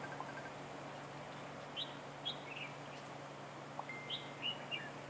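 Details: Red-whiskered bulbul kept as a decoy to lure and trap wild bulbuls; short, bright warbled whistles near two seconds, then a quick cluster of twittering notes toward the end, over a steady low hum.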